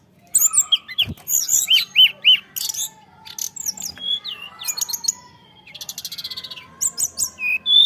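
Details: Bali myna in full, lively song: rapid whistled phrases, including a run of repeated rising slurs, are broken by a harsh rattling burst near the end. A faint low hum sits underneath.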